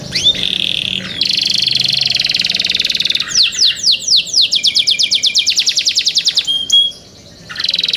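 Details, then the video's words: Young caged canary sings a varied song: a sustained buzzy trill, then a fast run of rising whistled notes repeated about four per second, a short pause, and another trill starting. "MEDIOUS SONG OF YOUNG CANARIES"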